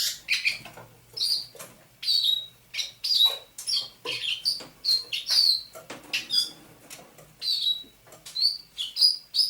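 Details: Captive thrush nightingale, trapped near St Petersburg in May 2019, in full dawn song on 27 November 2021: rapid high whistled notes, many falling in pitch, packed with sharp clicks in an uneven, continuous stream.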